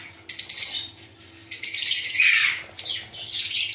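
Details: Lovebirds in a colony, including albino, pastel ino and yellow-chested birds, giving harsh high chirps and screechy chatter in loud bursts with short pauses between them.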